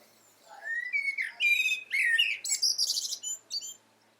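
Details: Common blackbird singing: a mellow fluted phrase sliding around the mid range, then a burst of high, squeaky twittering notes over about three seconds in a quiet setting.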